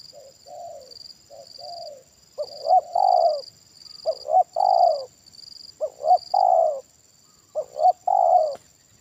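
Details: Spotted dove calling at a decoy trapping session, strong 'kuk satu' voice: quieter coos open, then four loud phrases of two short rising hoots and a long falling coo, steadily repeated.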